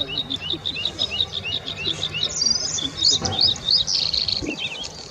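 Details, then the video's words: Bluethroat song at the Offstein settling ponds, a quick sequence of high twittering notes, buzzy bursts and sharp clear whistles over a low rumbling background. "Blaukehlchen singt"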